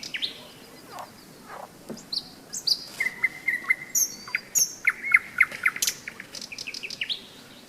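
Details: Singing nightingale on a stormy-season May day beside the Seversky Donets, heard at a hike stop: slurred high whistles leading into rapid trills of repeated notes, with high thin notes above.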